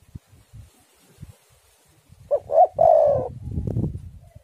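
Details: Spotted dove song used as a lure recording to get doves singing. After quiet low thumps, one phrase follows: two quick coos, then a drawn-out vibrating coo, trailing into low rumbling noise.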